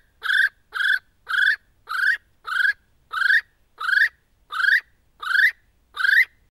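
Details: A little spotted kiwi on Motuihe Island, New Zealand, calling its mate, gives a series of ten shrill, rising whistles, about one and a half per second, in a quiet night.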